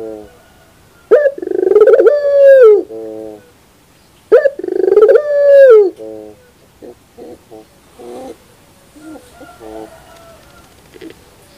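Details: In the morning a puter pelung dove gives two long drawn coos with rattling starts and hoarse low endings, then quiet faint clicks and rustles.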